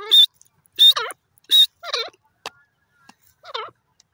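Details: Grey francolin in a forest: loud, harsh, shrill bursts repeated about once every second, mixed with lower, wavering, throaty notes.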